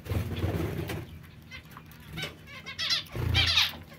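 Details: Zebra finch calls: three short, nasal, buzzy notes in the second half, the last one loudest, after low rumbling noise at the start.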